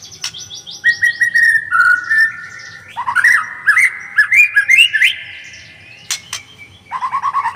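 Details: White-rumped shama singing a varied, rapid phrase series: quick repeated chips, clear whistled notes held level, then rising slurred whistles and sharp high accents, ending in a fast buzzy trill.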